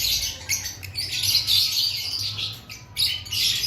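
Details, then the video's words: Pre-breeding-season lovebirds, a flock, giving continuous shrill squawks and chirps that swell and dip in loudness, with a faint low hum beneath. "Before breeding season Check your love Bird activity"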